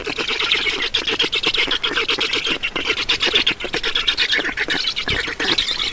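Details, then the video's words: Black storks at a nest in Estonia during feeding on 7 June 2019 at 16:44; dense, rapid rasping notes run almost without pause for the whole six seconds, harsh and hissing with a lower buzzy undertone. "Estonian Black Storks - Feeding"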